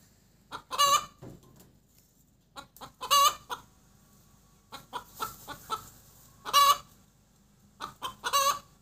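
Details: A hen cackles after laying an egg, giving clusters of short clipped clucks that end in a loud, strained, harmonic-rich squawk, with roughly four such bursts spaced across the recording.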